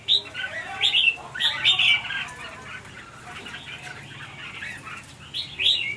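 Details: Red-whiskered bulbuls fighting over food and pecking each other fiercely; harsh, scratchy chirps and squawks in uneven bursts, loudest near the start and end, with wing flutters.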